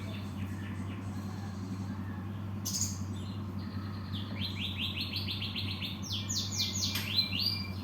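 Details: Cinereous tit singing a rapid repeated series of short rising whistled notes, about three to four per second, after a few scattered chirps, over a steady low hum.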